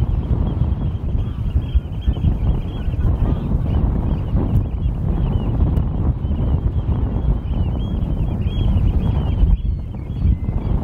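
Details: A flock of European golden plovers at Norddorf on Amrum, 8 April 2022 around 16:50, keeps up a steady stream of short, high, slightly rising whistled calls throughout, masked by constant loud wind buffeting.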